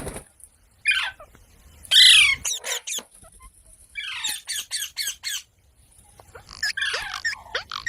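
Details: Parrot squawking in loud, harsh bursts interspersed with clicks and short rasping notes, separated by quiet pauses in an otherwise silent setting.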